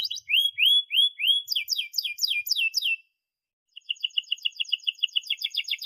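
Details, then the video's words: Canary singing as a model for young canaries: four rising whistled slurs, then sharp descending chip notes in quick succession, a brief pause, and a fast dry rattle of clicking notes. "kenari gacor panjang NEMBAK TAJAM ini ahlinya untuk PANCINGAN KENARI PAUD BELAJAR BUNYI"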